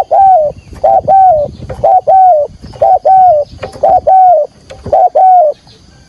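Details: Loud, close spotted dove giving the 'thúc gù' trapping lure call: rapid paired coos, a short note followed by a long slightly falling hoot, repeated steadily about once a second throughout.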